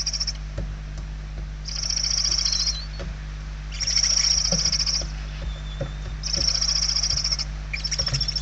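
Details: Begging barn owl chicks in their nest in Spain, 28/11/2023: three loud rasping, hissing bouts each about a second long, separated by quieter gaps with scattered soft taps and a faint thin whistle.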